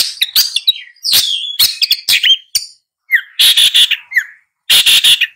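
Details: Long-tailed shrike mixing whistled slurs with bursts of coarse, rasping notes, in short uneven phrases separated by pauses.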